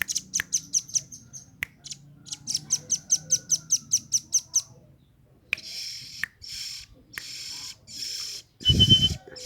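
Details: Velvet-fronted nuthatch calling, a sound used to lure wild birds: rapid runs of sharp, high ticks repeated in quick series, followed by harsh buzzy rattles and a brief loud low thump near the end.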